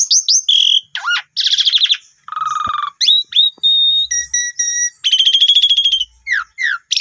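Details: Lure song of the Asian pied starling for a freshly bought, silent bird. Mixed whistles, a looping note, harsh trills and steady flat tones are followed by a long buzzing rattle and two falling whistles.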